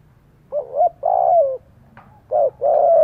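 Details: Spotted dove cooing combatively to provoke other doves: two paired sets of low, hoarse coos, each a shorter rising coo followed by a longer coo that sinks at its end, with a faint click between the sets.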